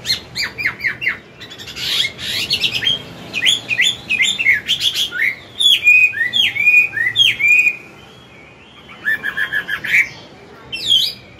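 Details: Morning song of an older wild-caught Chinese hwamei, used to train a young bird: bursts of varied whistles, harsh chatter and looping slurred notes, with pauses between phrases.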